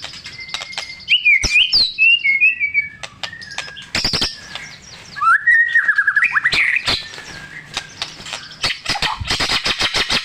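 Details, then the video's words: White-rumped shama singing a provocation song for caged shamas: sharp clicks and a looping high whistle, a long wavering phrase, then dense buzzy notes and rapid ticks. "Awass Murai Batu Macet Auto Bangor MATERI // Dengan Suara Murai Batu Gacor Isian MEWAH"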